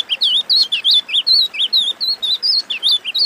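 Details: Wing-barred seedeater, locally called Pintada, singing an esquenta (warm-up song) used for training birds: a fast run of high, bright, wavering whistled notes, about a dozen in three seconds, evenly spaced and loud.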